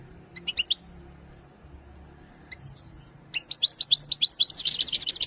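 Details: Goldfinch known as Wedani: a brief cluster of sharp chirps, a long quiet gap, then a lively, accelerating run of tinkling, twittering notes that grows into a dense, fluttering trill.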